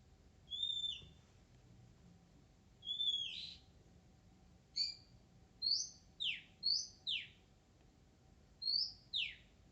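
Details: Oriental magpie-robin singing in the wild: a few spaced whistled notes with thin high accents, then a faster run of rising whistles that each fall away into buzzy downward sweeps.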